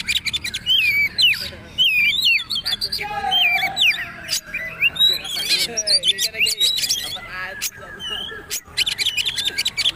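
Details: Poci trotol magpie-robin song used for tutoring: a long, busy stream of twisting whistles, trills and rapid clicks, with short pauses and a softer rattling passage toward the end.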